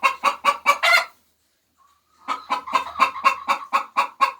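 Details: A laying hen's egg song: five quick clucks ending in a drawn-out squawk, a second of quiet with a faint whine, then a steady string of clipped, evenly spaced clucks.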